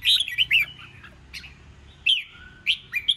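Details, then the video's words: Red-whiskered bulbul contest song in the 'ché chét' voice, used to spur newly caught birds: a lively warbled phrase, a pause, then two sharp rising chirps and a thin whistle. "Chào Mào Kích Bổi Nhanh Ra Giọng CHÉ CHÉT,Kích Chào Mào Hót Đấu"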